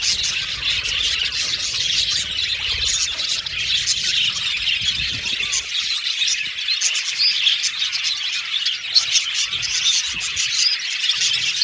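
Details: Aviary budgie colony heard at length: overlapping chirps, squeaks and warbles form an unbroken high chorus, lively and steady, with a faint low hum fading after the first half.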